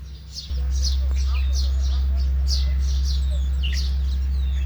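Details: Sparrows, chakli in Gujarati, filmed while bathing and flying, giving short bright chirps about four per second in a busy overlapping chatter over a loud steady low hum.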